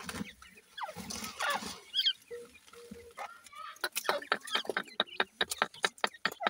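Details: Feeding grey francolin chicks: a few soft chirps and low rustling at first, then a rapid, fairly irregular run of sharp clicks and short high peeps at a brisk pace.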